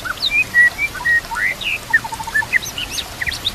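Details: Song of a White-rumped shama meant for training other shamas: spaced, clear whistled notes, some flat and some slurred, with a few high squeaks between, over soft hiss.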